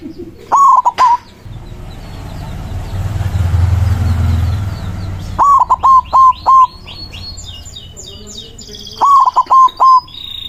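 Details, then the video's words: White zebra dove singing a loud manggung song to call rivals, used as a lure for trapping doves: three bursts of short, mellow cooing notes near one pitch, with a long quiet gap of low rumble between, and high twittering birds behind. "PERKUTUT PUTIH GACOR SUARA BESAR AMPUH MEMANGGIL LAWAN BUNYI MANGGUNG"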